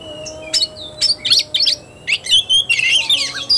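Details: Kacer tarung, the fighting-style song of an Oriental magpie-robin, recorded 17 August 2021: separate sharp chips and whistled slurs, building into a quick jumble of high varied notes, faint steady hum underneath.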